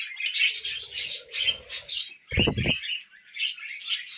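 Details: Tamed budgerigars feeding on millet in a group: bursts of rapid scratchy chirps and twittering warbles, pulsing on and off, interrupted by a short loud thump.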